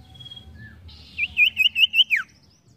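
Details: Ashy tailorbird (sirtu) in lively song: a quiet high whistle, then a loud rapid run of five or six bright looping whistled notes ending in a steep downward slur, with faint low background rumble.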